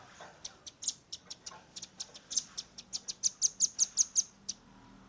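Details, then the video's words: Rapid-fire song of a juvenile velvet-fronted nuthatch, phone recording used as master material: loose high chips quicken into a tight, strong trill of metallic notes near the end. "RAMBATAN PARUH MERAH gacor nembak rapat"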